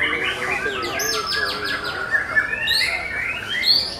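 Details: White-rumped shama singing in a songbird competition, session 4: a fast run of repeated high whistled notes sweeping downward, then rising slurred whistles, with other competing birds and crowd chatter beneath.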